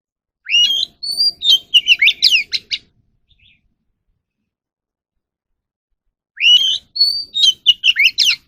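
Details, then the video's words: Oriental magpie-robin song for voice training of captive birds: two bursts of varied whistled phrases, rising sweeps and sharp downslurred notes, separated by about three seconds of silence. "kacer alam | choè than luyện giọng || Choè than kích bổi ra giọng เสียงนกกางเขนบ้าน"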